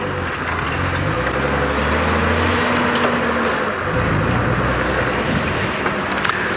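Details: Steady engine rumble of a vehicle on a sunset safari drive, with a low droning hum and broad road noise throughout and no animal calls.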